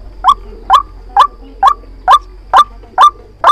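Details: White-breasted waterhen decoy call used for trapping: loud, harsh nasal notes repeated steadily about twice a second, each note sharply rising then levelling off, eight in a row over a quiet background.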